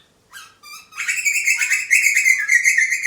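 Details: Young butcherbird being fed by an adult: a few short rapid chirps build into a continuous loud, harsh, buzzy begging rasp that rises and falls without pause.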